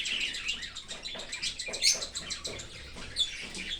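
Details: Cockatiel chick fed by a parent from outside the nest in an open aviary; dense raspy, hissing chatter rises and falls in rapid bursts, with a few sharper chirps near the end.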